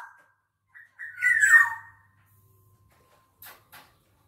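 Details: Black-naped oriole making a single drawn-out, harsh, nasal squawk that wavers and falls, with faint short clicks afterwards.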